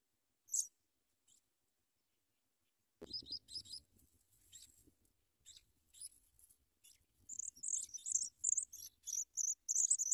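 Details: Sprague's pipit babies receiving big worms from a parent bird; a thump and rustling come first, with scattered high squeaks, then a steady series of piercing, high-pitched begging chirps builds over the last few seconds.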